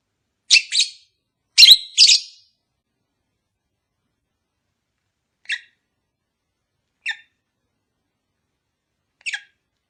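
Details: Pet lovebird calls intended to stimulate a long-unmated pair: a cluster of four harsh squawks at the start, followed by three single thin chirps spaced out over the following seconds.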